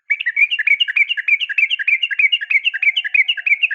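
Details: Female sooty-headed bulbul calling the male in a fighting sound: a continuous, fast, rattling chatter of bright notes alternating high and low, roughly five per second, without a break.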